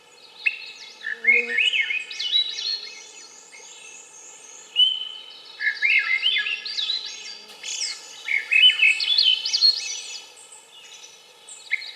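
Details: Swainson's thrush song: three rising, spiralling flute-like phrases about every three to four seconds, each climbing through whistled, rolling notes, with a faint low background hum.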